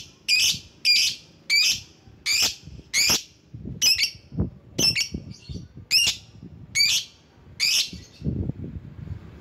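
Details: Lovebird calling to lure rival birds: a string of eleven harsh, high, raspy squawks, evenly spaced about 0.7 seconds apart, with faint low rustling underneath.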